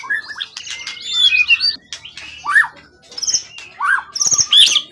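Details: Calm, long-kept competition songbird caught wild, tail longer than 20 cm, delivering rich varied song: trilled chatter, loud arching whistles and quick high twitters in short phrases.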